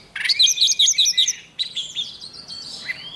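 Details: Morning voice training by a decoy Oriental magpie-robin, said to fire birds up quickly: a loud rising whistle followed by a fast trill of repeated bright notes, then a second, softer warbled phrase.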